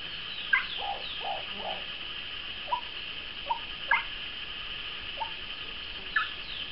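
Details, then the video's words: Moustached turcas, a pair or group apparently in courtship, giving short low hollow notes at uneven intervals, about eight over seven seconds, some paired with brief higher whistles, over a steady high hiss. "PAREJA DE TURCAS (Pteroptochos megapodius) EN CORTEJO"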